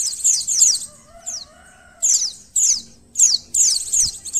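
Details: White-eye from Indonesia, in a recording meant to test emotion and arousal: repeated high, downslurred chirps in bursts, with a soft lower wavering whistle heard in the background between them.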